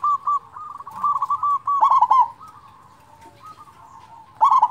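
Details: Big-voiced local zebra dove singing as a lure to rouse lazy or stressed zebra doves; a steady chain of quick, even coo notes flows into a stronger stuttering burst, a long soft trill, then another loud coo burst.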